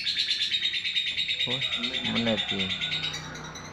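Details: Fighter-type lovebird in a long 'ngekek' trill, a fast, high, rattling chatter running steadily throughout, with a man's voice talking over the second half.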